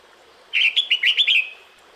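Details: One quick phrase from a female red-whiskered bulbul calling the male in breeding season: about six clipped, bubbling whistled notes run together in under a second.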